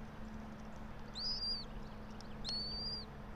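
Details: At a bald eagle nest high in a pine in Johnson City, Tennessee, at dawn hour 06:28 on 04.03.2024, two thin, high, arching squeals over a low steady drone.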